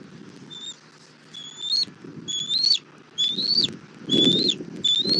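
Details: At a bald eagle nest in Southwest Florida, 1 April 2024 in the evening, mother delivering food to the chick: soft then louder high whistles, each rising at the end, about one per second, with low rustling.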